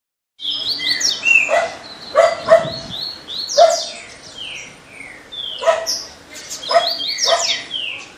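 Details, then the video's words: Double-collared seedeater singing a fast, tumbling run of sharp chirps, slurred whistles and buzzy trills, with a dog barking several times in the background; Double-collared seedeater. "Coleiro muito fibradao"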